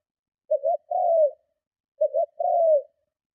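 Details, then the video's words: A spotted dove's strong provoking coo, used to lure other doves: two phrases, each a short stuttered double note followed by a drawn-out coo that slides downward, about one and a half seconds apart. "Tiếng Chim Cu Gáy Gù Kích Bổi Cực Mạnh"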